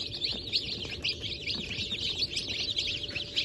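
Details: Chicken chicks just out of the egg, Brahma, Sultan, Sussex and Wyandotte breeds, January 28, 2024 hatch: a thick wash of piercing, downslurred peeps, a few louder notes standing out, with low rumbling noise beneath.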